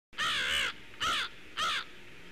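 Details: A pair of crows calling as they fly past a nest toward marshland, filmed by a nest camera: three loud harsh caws, the first longer, then two shorter ones about half a second apart, over quiet background.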